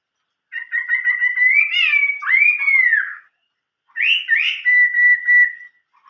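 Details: Chinese hwamei giving old-forest style song: a steady whistle swelling into a rising and falling arched slur, silence, then two rough rising notes and a long pure whistled note held for about a second.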